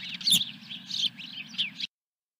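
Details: Ranch nest of an osprey on 17 May 2021, morning fish delivery: a rapid run of high, piercing, slightly slurred chirps lasting under two seconds, set against a low steady hum, then abrupt silence.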